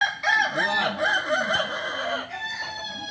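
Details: Purebred Kukuak Balenggek chicken from Solok crowing: a long, rough, harmonic crow of several linked wavering syllables that fades slightly toward the end, with no pause.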